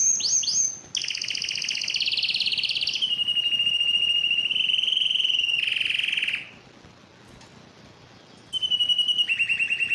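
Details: Yellow canary song with high rolled phrases, a long level trill, a harsh buzzy burst, two seconds of silence, then the trill resumes.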